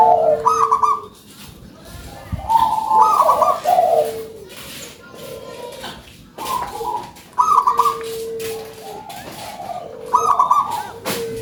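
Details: Local zebra dove, described as having a big voice and singing vigorously, gives rolling trilled coos: low notes with quick, bubbling, higher-pitched trilled bursts, in phrases about every three seconds, with quiet gaps between them.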